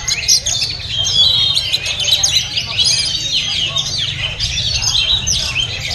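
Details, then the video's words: Caged oriental magpie-robin at a market pouring out a continuous song of clear whistles, quick chirps and rising and falling slides, densely packed for six seconds, with other birds chattering and a steady low hum behind. "Oriental Magpie Robin Singing"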